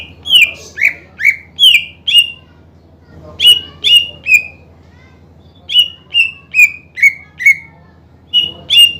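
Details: Gacor greater green leafbird song meant to stir rivals' emotion so they sing: bursts of rapid whistled notes with sharp attacks, each sliding down, grouped in runs of four to six separated by brief gaps.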